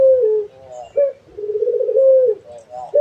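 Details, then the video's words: Puter dove in full voice giving steady coos, each a brief clipped note followed by a drawn-out trembling coo that sags in pitch, one after another with little pause. "SUARA BURUNG‼️ PUTER GACOR"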